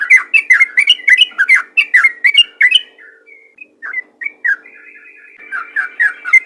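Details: Lively Sooty-headed bulbul song, played to get other bulbuls singing: a quick sequence of short, slurred whistled notes, then a quieter stretch with a few scattered notes and a thin sustained tone before fresh bubbly phrases return.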